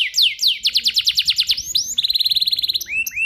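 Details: Canary, song used for training other canaries, delivers rapid descending whistled sweeps, then a tight high trill of quick repeated notes, ending with two slurred rising-falling whistles.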